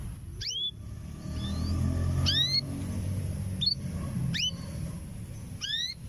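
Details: Breeding-ready canary hen calling for a male: rising whistled notes repeated about once a second, alternating longer sweeps and short clipped notes, over continuous low-pitched background rumble.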